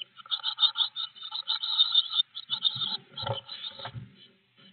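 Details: At a blue tit nest box on 25 May 2021, an in-box camera picks up a stream of fast, high, buzzy chirps that weaken after about three seconds, giving way to low knocking and rustling sounds before near silence.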